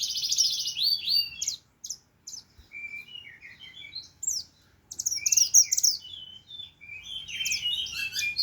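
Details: Loud, varied song of a black-naped monarch, kept as a songbird: bursts of high chirps and twittering notes broken by short silences, ending in a tumbling chatter of rising and falling notes.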